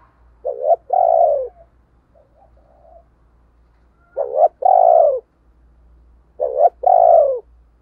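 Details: Decoy spotted dove, kept to rouse other doves into cooing, delivers three phrases about four seconds apart, each a short coo followed by a longer falling one, over a low steady hum.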